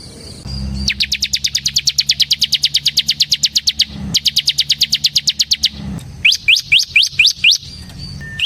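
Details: Bar-winged prinia of the ciblek semi type in sustained ngebren singing for training ciblek: long, very fast buzzy trills of dense repeated notes lasting about three seconds and two seconds, followed by five separate rising chirps.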